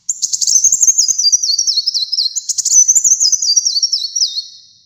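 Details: Kolibri muncang, a caged sunbird kept for song: a continuous shrill, very high twittering song of quick zigzag note steps, sliding gradually lower across five seconds, with brief buzzy accents.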